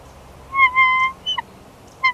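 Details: Bald eagle at the Big Bear Valley nest during a changeover between the pair, March 2021; a thin, drawn-out whistled note, then a short downslurred note and a final brief whistle.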